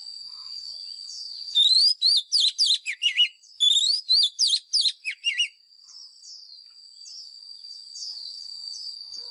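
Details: Lure song of a White-rumped shama for voice training of caged birds, fighting style: two rapid bursts of bright whistles that swoop up and down, then quiet faint high tones.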